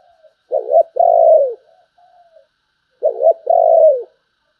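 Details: Two identical low cooing phrases from a spotted dove about two and a half seconds apart, each a short wobbling note and a drawn-out descending coo, sung in the 'sấm bầu' style.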